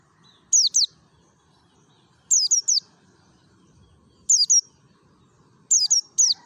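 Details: Mountain white-eye from Merapi, a wild forest lure to set other white-eyes singing: repeated bursts of two or three thin, piercing chirps sliding downward, spaced about every two seconds over faint low noise.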